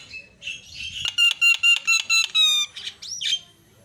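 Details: Javan myna (jalak kebo) singing to provoke rival mynas: a run of loud, evenly spaced harmonic notes, each a clipped metallic chirp, followed by a squeaky rising-falling whistle.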